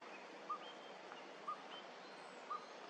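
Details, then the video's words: Northern Pygmy-Owl in Lane County, Oregon, on 1 July 2021, giving three short, hollow, mid-pitched toots about one second apart, over a steady background hiss with faint thin notes from other birds. "Northern Pygmy-Owl (vocalization only)"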